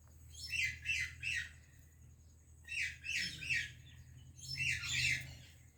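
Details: Parrots from India and Pakistan in a greeting exchange: a triplet of rasping squawks, a pair a couple of seconds later, then a longer, louder, drawn-out screech.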